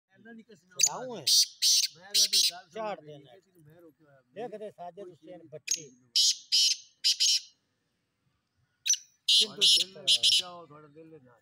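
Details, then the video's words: A black francolin in a calling competition gives harsh, grating call phrases of several quick scratchy notes, repeated in bursts over a background of sung music. "kala teetar ki awaz ka muqabala, black francolin voice competition"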